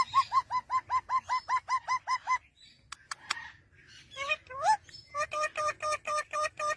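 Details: Baby parrot calling near its parent: steady series of short, evenly spaced nasal notes, about one per second-fraction, a pause with clicks and bent whistles, then another rapid run of repeated notes.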